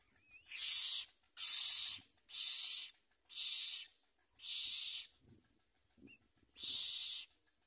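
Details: Baby common mynas in the nest with the mother bird, refusing food and biting at her; six loud wheezing rasps repeated roughly every second, with soft low rustling between them.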